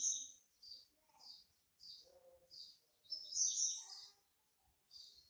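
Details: Young captive male Double-collared Seedeater, hatched March 2019 in Brazil, singing to mark its territory: short buzzy high phrases repeated about every 0.6 seconds, with a louder burst near the end and faint low clicks.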